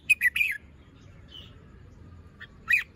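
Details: Young Red-whiskered bulbul, plumage not yet fully moulted and crest still small, showing its song phrasing in the morning: a quick run of bright, slurred whistled notes, a short pause, then a final whistled note.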